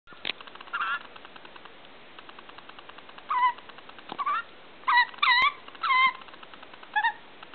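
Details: Hand-reared young white-backed Australian magpie, female, about 1.5 to 2 months old, rescued after being hit by a car: hungry begging with repeated short, rising, squeaky wavering calls in bursts, over a steady background hiss.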